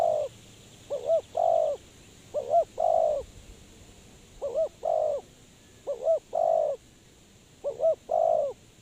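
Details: Spotted dove used as a trapping lure. It coos steadily: a pair of short bouncing notes, then a drawn-out mellow coo, repeated six times at a regular pace. A faint background hum is heard.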